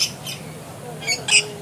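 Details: A blue-streaked lory climbing through a bush gives four short, harsh, screechy notes in under two seconds, with a faint murmur of people talking behind.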